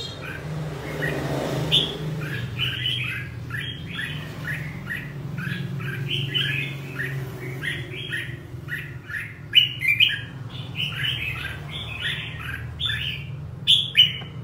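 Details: 'Ché'-type red-whiskered bulbul, fired up ('căng lửa'), delivering a long chain of quick, chirpy whistled phrases with occasional sharper, louder notes, while a low mechanical hum runs underneath.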